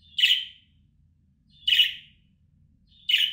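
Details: Calling sound of a budgerigar for luring back an escaped bird: three scratchy, buzzy chirps about one and a half seconds apart, each with a short whistled lead-in, over faint low hum.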